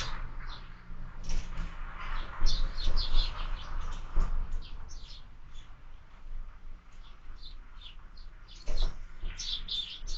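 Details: Evening feeder sparrows, 6 March 2024, giving scattered bright chirps in loose bursts against a constant low hum.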